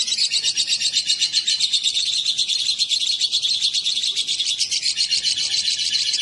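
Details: Lovebirds, a male and a female brought together, give a dense, continuous high chatter of rapid buzzy chirps, about two per second, with no other sounds.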